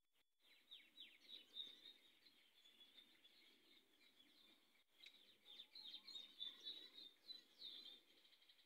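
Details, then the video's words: Variable sunbird giving a long, high, rapid twittering run of scratchy chirps and slurred notes, about three to four per second, with a brief break midway, over faint background hiss. "Variable Sunbird"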